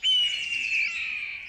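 A Red-tailed Hawk gives one long, hoarse, raspy scream that sags slightly in pitch over about a second and a half. No other sounds stand out.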